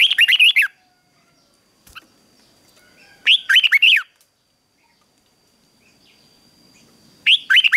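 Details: Red-whiskered bulbul in morning song training, fighting song style: three bursts of quick, warbling looped whistles, each under a second, spaced about three to four seconds apart with quiet gaps between.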